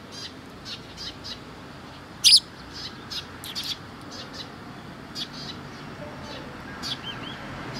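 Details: Sparrows gathering at food at a Tenmangu shrine on 10 October 2017; short, high, scattered chirps, one loud sharp chirp near the start, then fainter chirps at irregular intervals over a steady soft background hiss.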